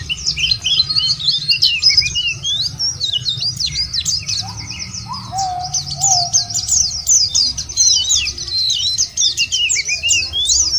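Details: White-eye song played as a lure or nature therapy to get caged white-eyes singing and calling rivals: a dense, unbroken stream of rapid, high, tumbling twitters and chirps, with a few lower slurred whistles from another bird underneath.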